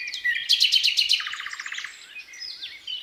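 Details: Thrush nightingale singing 8 May 2022 while a siren sounds: a bright burst of rapid repeated high notes, then a fast, deep clicking rattle, finishing with soft slurred whistles.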